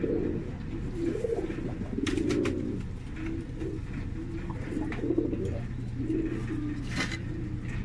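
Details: Several black Qatayef tumbler pigeons give deep, rolling coos that overlap almost continuously, with occasional sharp clicks and flutters like wingbeats around the second and seventh seconds.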